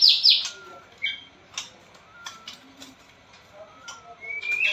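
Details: White-rumped shama (murai batu blorok), recorded as training and lure material for a shama reluctant to sing: an opening burst of bright chattering notes, then sparse thin whistles and soft clicks, ending with a rising whistle.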